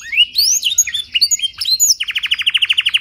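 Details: Domestic canary carrying blackthroat-style phrasing, clear voice, meant as a singing lure for other canaries: a run of high slurred whistles, then a steady pulsed trill of about fifteen even notes.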